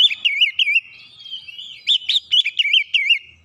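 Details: Kacer (Oriental magpie-robin) singing 'nembak rapat' for use as a master. Two quick phrases of looping, wavering whistles, the second longer, separated by a soft drawn-out note.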